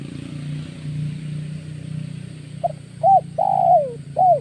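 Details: Spotted dove lure call from August bird trapping: after a quiet stretch with low rumbling hum, a phrase of short coos, then a longer drawn-out falling coo and a final short coo.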